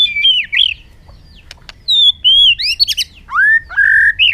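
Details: Bird making varied whistled calls: wavering slurs, sharp upswept notes and a final longer, steadier whistle, with scattered clicks in between.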